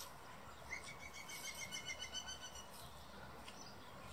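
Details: Common blackbird, female and male, at the Real Jardín Botánico de Madrid: a quick, evenly spaced series of about eight short tonal notes, then quieter scattered chirps over a steady ambient hum.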